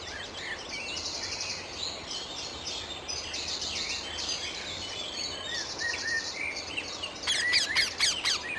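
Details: Wild rose-ringed parakeet in Amsterdam, the Netherlands: a burst of about five harsh, rapid screeches near the end, following a steady backdrop of high chirping from other small birds and faint outdoor noise.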